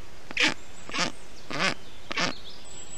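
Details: Black stork chicks in a nest in Estonia on 20 June 2021, calling while a parent cools the nest with water, moss and wet grass in the heat; four harsh, nasal, quacking calls spaced about half a second apart.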